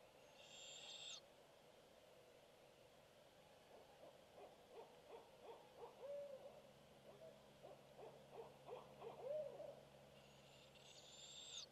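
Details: A barred owl hoots in the distance, "who cooks for you", an uneven run of low, throaty notes ending in a drawn-out, slurred hoot, heard by owlets at the nest on 26 April 2016; brief raspy hisses at the start and end.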